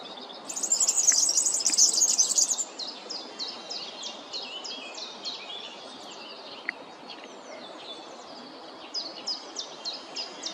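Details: European serin (Serinus serinus) singing a rapid, high, jingling burst of tight buzzy notes lasting about two seconds, followed by scattered thin chirps from other birds against a steady outdoor hiss.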